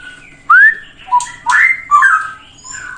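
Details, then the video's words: Straw-headed bulbul (cucak rowo) training song for other birds: a few loud, separate whistled notes, one sweeping upward, then short slurred phrases against a quiet background. "Kicauan Cucak Rowo Merdu Bikin Hati Adem"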